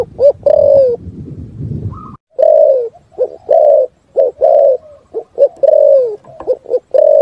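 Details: Spotted dove's full 'thúc gù' song in the forest: loud, low coos in rapid sets, short notes leading into long, slightly falling coos, repeated steadily. A burst of rumbling noise comes first, then a brief higher whistle.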